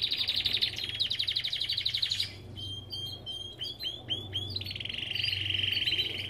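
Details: Belgian canary from an aviary singing fast pulsed trills, a run of sharp repeated chirps, then a smoother rolling trill, over a low hum.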